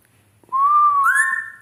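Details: Grey parrot in Dhaka, Bangladesh giving a clear, pure whistle that holds steady, then steps upward and lingers before fading, with a faint low hum behind.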